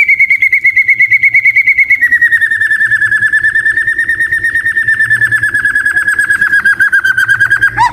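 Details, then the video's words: White-rumped shama giving a long, rapid rattling trill that holds a steady pitch, then drops slightly after two seconds and continues evenly for about eight seconds before breaking into a short sharp note. "Murai Batu Gacor dengan Suara Merdu"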